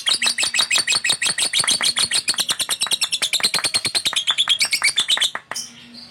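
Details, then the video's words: Fighter-type male lovebird in sustained chattering song, a long rapid rattle of grating high chirps repeated about three times a second for over five seconds, then a sudden stop. "lovebird fighter gacor"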